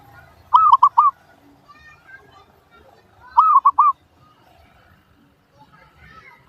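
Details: Zebra dove (perkutut) song used as a lure to get other doves to respond: two clear phrases of three arched, mellow cooing notes about three seconds apart, a third phrase just beginning at the end, over quiet low background hum.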